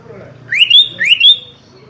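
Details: Sooty-headed bulbul challenging a rival with two loud, ringing whistles in quick succession. Each rises steeply, then holds a bright, steady tone. Faint low background murmur.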